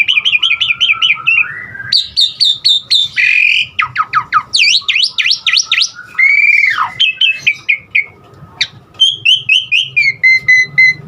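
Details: Asian pied starling singing a rich mix of imitated elements: warbled trills, rapid descending sweeps, rising and falling whistles and steady tones, delivered quickly.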